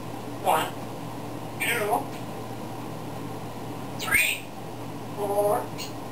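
An African grey parrot speaks in four short, voice-like bursts over six seconds, with gliding pitch and some squeaky, whistled inflections. A quiet indoor hum sits underneath.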